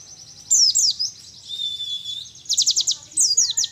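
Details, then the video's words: Young wild mountain white-eye, endemic to Mount Ciremai in Majalengka, West Java, one month into mastering and starting 'nembak' material, sings high sweeping chirps, a long level whistle, then a fast run of evenly spaced piercing notes. "PLECI DAKUN CIREMAI || MASIH BERENGAN MUDA HUTAN"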